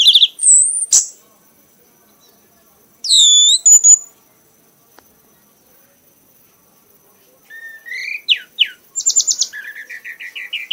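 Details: Prize-winning red-whiskered bulbul in a frenzied singing bout: looping high whistles, a long silent gap, then rising slurs and a fast rattling series of short, evenly spaced notes.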